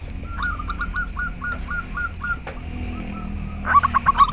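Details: Local zebra dove with a very clear voice, said to set other doves replying: a run of about ten short, hooked cooing notes at an even mid pitch, a quieter stretch, then a louder burst of notes near the end.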